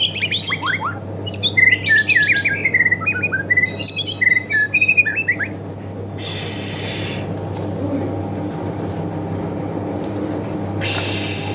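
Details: White-rumped shama, a Medan bird, singing in a bowing display style, used as a lure for training birds: clear whistled phrases and quick slurred notes in the first six seconds, then hum and bursts of broadband noise.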